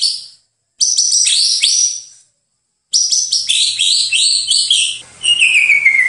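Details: White-rumped shama singing on a training master recording: dense high chattering phrases in two long bursts, ending in a clear, falling, drawn-out whistle.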